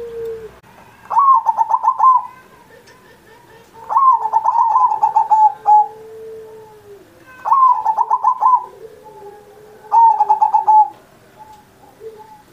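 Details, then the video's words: Vigorous singing of a zebra dove, kept as a master recording for luring young or quiet pet doves into song, Indonesian Independence Day: four bright rolling, bubbling coo phrases at roughly three-second intervals over faint low cooing. "Perkutut Masteran Manggung Gacor Mancing Burung Lain"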